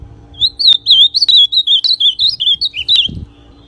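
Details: An ultramarine grosbeak (azulão) sings a song used to stimulate other azulões: a rapid, sweet warbling run of slurred high notes lasting about three seconds, with a few sharp clicks and a faint low hum.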